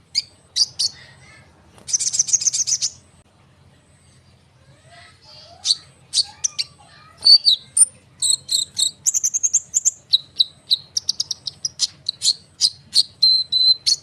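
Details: Konin bird giving a close, rolling song meant to lure sunbirds into responding. A buzzy, scratchy burst comes early, then a long run of high, piercing chirps and short whistles repeated rapidly to the end.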